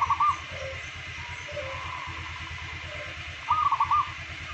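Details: Daily song of a local zebra dove, one of two birds compared. A cooing phrase is cut off at the start, then a gap of soft background hum, then another quick rolling run of four or five coos.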